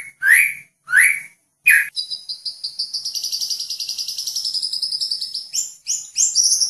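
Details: Medan White-rumped shama, a caged contest bird, opens with three rising whistled notes, then delivers a fast, sustained trill of high repeated notes lasting several seconds, ending in sharp, varied high phrases.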